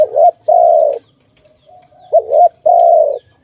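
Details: Two dove phrases, each a quick wavering coo followed by a longer smooth sustained note, separated by a short pause.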